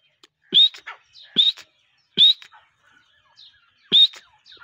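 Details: Native desi partridge uttering loud, shrill rising whistles, repeated roughly every second with a longer pause before the last. Each whistle is followed by quieter trailing chirps.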